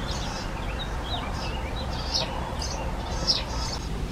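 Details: Young European greenfinches (Chloris chloris), newly fledged, begging from their parents; rapid, scratchy high chirps and twitters throughout, two louder notes standing out near the end, over low steady noise.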